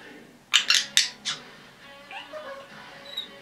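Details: Indoor pet red-bellied parrot, about 10.5 months old and female, giving four sharp, loud squawks in quick succession, followed by softer mumbled chatter and a faint high whistle.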